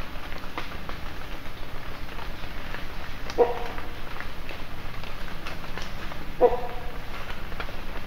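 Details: Great pied hornbill at Valparai giving two short, hoarse barking calls about three seconds apart, over a steady low rumble.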